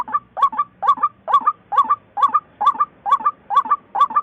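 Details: A white-breasted waterhen gives hoarse doubled calls, each a gruff rising croak followed by a brief higher note, repeated about twice a second in a steady beat.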